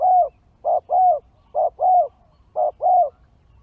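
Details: Spotted dove calling in a recording used to lure wild birds: clear, low coos in short-then-long pairs, repeated three times at even pace against a quiet background.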